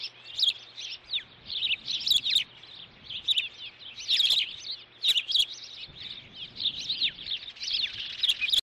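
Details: Osprey at a Montana nest at Dunrovin, 9 June 2013, showing dominance while the mother brings a stick: insistent piping chirps in overlapping bursts, high and squeaky with falling slurs, continuing without break across the recording.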